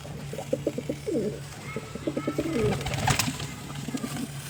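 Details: Pigeon coos in two low throbbing phrases of rapid pulses, each ending in a drawn-out rolling note, with a sharp click or bang midway and a constant low hum behind.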